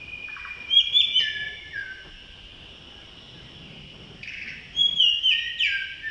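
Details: A male blue-throated blue flycatcher (Cyornis rubeculoides) at Tashiding, Sikkim, India, in May 2018 gives two bursts of high, sweet, twittering notes with quick slurred whistles, separated by a quiet pause of about two seconds.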